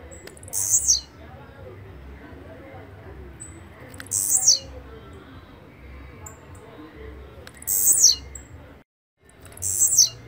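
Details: Blue-black grassquit singing a repeated song: four high, buzzy bursts, each under half a second and dropping in pitch at the end, spaced about four seconds apart. Faint low background noise.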